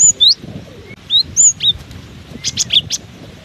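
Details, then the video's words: Cinereous tit singing despite strong wind: a few loud, drawn, sliding whistles, then a fast cluster of four sharp high notes, wind hissing faintly underneath. "Diterpa angin kencang! burung gelatik batu ini tetap gacor"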